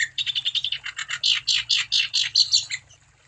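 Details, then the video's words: Wambi bird in song, used as a lure for other wambi birds: a quick string of buzzy chirps that broadens into louder, rasping notes, then ends in a brief quiet stretch. "Burung Wambi Gacor Untuk Umpan Supaya Wambi Anda Tambah Gacor"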